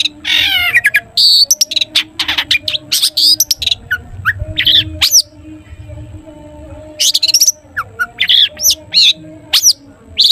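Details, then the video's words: Long-tailed shrike in full "toet toet" song, used as a lure to get other shrikes singing: dense bursts of sharp, buzzy and whistled notes in rapid clusters, a quiet pause mid-way, then renewed bursts, with a faint low hum beneath. "cendet gacor TOET TOET buat pancingan cendet agar bunyi"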